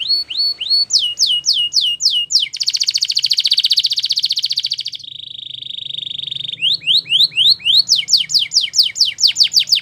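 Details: Belgian canary song for training young canaries, with hooked whistles and falling sweeps leading into a long loud buzzy trill, a lower steady roll, then repeated steep downslurs.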